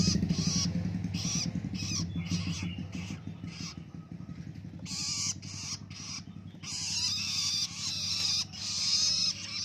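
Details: Young long-tailed shrike, a hand-raised fledgling now feeding itself, learning to sing in captivity: rapid harsh, raspy bursts repeated about three times a second, with a low engine-like hum and brief human voices underneath.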